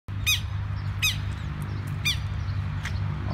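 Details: Southern lapwing (quero-quero) adults calling while swooping low to intimidate a person removing their chicks from a field: three sharp, harmonic squawks spaced about one second apart, over steady low rumbling background noise.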